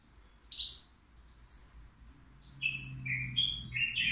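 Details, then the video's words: Caged three-year-old European goldfinch at the Al Qriaa bird market, described as a flawless singer. Two isolated high notes open, then a quickening run of twittering phrases. A low hum runs underneath. "الموقنين بدون أخطاء"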